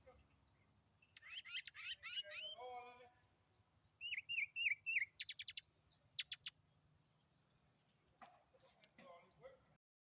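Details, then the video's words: A juvenile northern mockingbird in a bush. It gives a quick run of rising chirps, then lower buzzy notes, four hooked whistled notes in a row, a rapid burst of sharp clicks, and scattered sharp notes near the end. "Is it a baby Mocking Bird 🐦 or a Singing Bush?"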